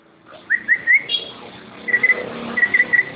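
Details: Competition-quality greater green leafbird song: short rising whistles, a brief high note, a pause, then bursts of bright, evenly pitched whistled notes in twos and threes over faint background hiss.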